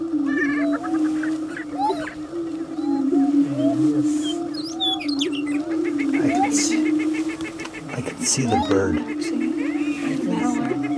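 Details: Lekking prairie chickens at Bluestem Prairie near Dilworth, Minnesota, performing a mating dance: a constant low moaning drone, scattered cackles and whoops, and rapid clattering stamps or wing noise mixed in.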